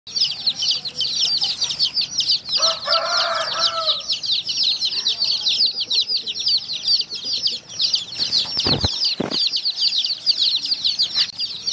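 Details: Many baby chicks drinking water, peeping together in a dense, continuous chorus of high, downslurred cheeps, with a brief lower harmonic call near the start and a couple of sharp knocks toward the end.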